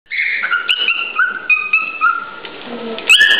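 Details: Male cockatiel sings a courtship song at close range to a female to persuade her to pair or mate. The song is a continuous warble of clear whistled tones that slide and step between notes, ending in a sharp, bright upward squeak.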